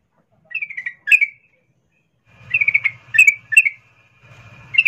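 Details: A female sooty-headed bulbul in breeding condition calls for a male. Short, slurred chirping phrases come in small bursts, with a low buzzing hum beneath the later notes.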